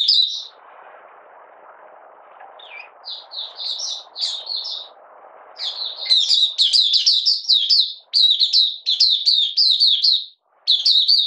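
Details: Malaysian Oriental white-eye, caged and in minor moult, no form, 31 July 2023: soft scattered high notes over background hiss build into a loud, fast run of twittering chirps, about two per second, 'buka sing' style.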